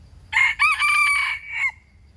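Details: One complete crow from a wild chicken: a brief first syllable, a short gap, then a long strong drawn-out note that drops at the end, with only faint low hum behind it.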